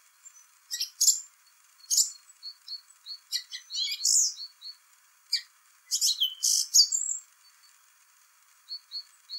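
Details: Song thrush singing its complicated song in spring: bursts of high, sharp notes and short whistles in varied phrases separated by brief pauses, with some small notes repeated two or three times in quick succession. No other clear sounds.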